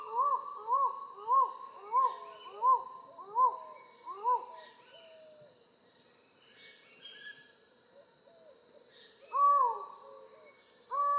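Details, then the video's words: Collared forest falcon calling: a quick run of about seven short, hollow, arched hoots, then a quiet gap with soft background birds, then two louder, longer drawn-out 'ow' notes. "Falcon Call Video: Collared Forest Falcon Bird Sound"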